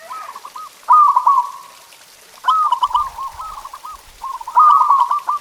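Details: Zebra dove (perkutut) masteran song for pet birds: short soft coo groups lead into loud trilled rolling phrases, three bursts spread across the few seconds, with faint low knocks in the background.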